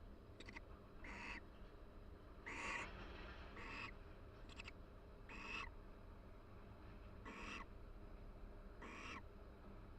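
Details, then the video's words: Mated barn owls inside a University of Florida nest box, calling softly during mutual preening; brief raspy hisses come in irregular pairs and singles, some slightly louder, over a constant low-frequency hum. "Barn Owl Pair Chats and Preens Inside the Nest"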